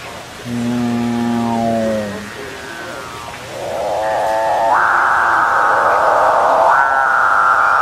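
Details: Several excited capuchinbirds call back and forth and toward the person recording. A deep, growling harmonic tone sags away, then a swelling, rising moo builds into a loud, drawn-out lowing note that carries to the end.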